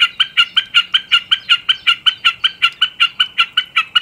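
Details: {'caption': 'Common snipe song up close: about twenty crisp, identical chip notes in four seconds, each with a low and a high part, repeated in a very regular beat.'}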